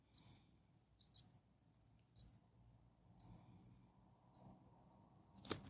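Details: Common starling chicks, a brood of six only days old and hungry: evenly spaced, bright, high arched peeps roughly once a second over a soft constant hiss, ending with a sharp knock.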